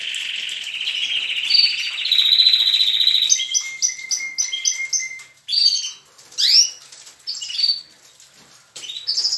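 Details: Adult and young canaries vocalising together in the morning at a breeding aviary; a long rolling trill, then a run of short repeated notes over a steady thin tone, followed by separate sharp rising chirps with short gaps.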